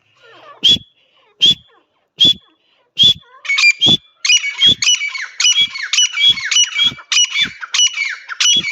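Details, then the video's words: Partridge giving sharp, high, piercing notes with loud clicks, at first spaced evenly and then running into a faster, continuous series of squawky calls. "teetar ki awaaz"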